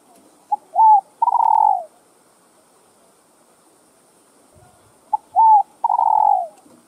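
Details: Spotted dove cooing meant to stimulate other doves: two phrases about four and a half seconds apart. Each opens with clipped short notes and ends in a long, rolling, falling coo.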